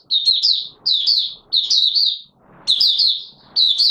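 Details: Opening song of a Mata Puteh Raja white-eye kept in a cage and not yet at full condition: rapid high twittering warbles in short bursts, each under a second, separated by brief quiet gaps.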